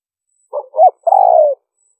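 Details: Spotted dove cooing in the liêu ròng manner, used to attract wild birds. A soft double note, a rising-falling hoot, then a long slightly trembling coo that drops at the end. The setting is silent.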